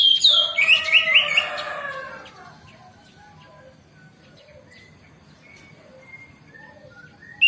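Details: Orange-headed thrush song used as a morning lure to prompt other thrushes to sing: a loud two-second burst of rich, varied whistles and quick rising slurred notes, then softer scattered chirps.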